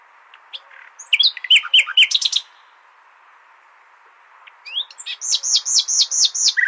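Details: Common nightingale song played for tutoring goldfinches: a burst of rapid repeated high notes and short trills, a pause of about two seconds, then a series of seven looping whistled notes ending in a lower note.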